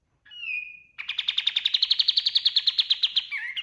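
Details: A kapas tembak white-eye, recorded as master song for teaching other birds, gives a level whistled note, then bursts into a long, rapid, high trill of about fifteen beats per second that ends in a twittering flourish.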